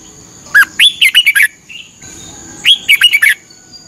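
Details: Red-whiskered bulbul of Thailand singing for daily morning training: two close phrases of quick, slurred whistles, a low downward note leading into bubbling, wavering notes.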